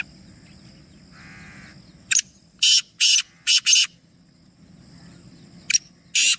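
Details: Black francolin, one of three birds, giving a harsh grating call of several loud noisy bursts in a rhythmic phrase, repeated after a pause; a soft low hum earlier.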